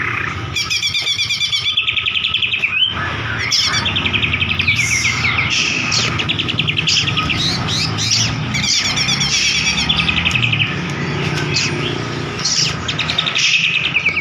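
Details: White-rumped shama song played to provoke a bird that has stopped singing: a continuous, rich run of varied whistles, rapid trills and repeated chirping phrases throughout, with a constant hiss underneath.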